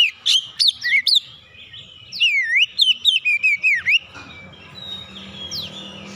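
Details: Magpie-robin singing as a lure to provoke rival birds: quick sharp notes, then a fluent sequence of looping whistled phrases rising and falling, ending in quieter distant notes with background hum.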